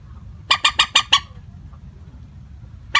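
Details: Common moorhen calling, a recording used to lure birds, with the call's pitch kept unvaried: a rapid run of five harsh, clucking notes, then a pause and one more clipped note, over low background hum.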